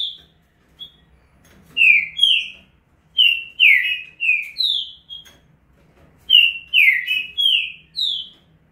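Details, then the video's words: Trinca-ferro, a green-winged saltator male, delivers the rapid 'estouro' song: bursts of clear, downward-slurred whistles in tight clusters of three to five notes, separated by short pauses. "Trinca ferro Estouro mais rápido velocista."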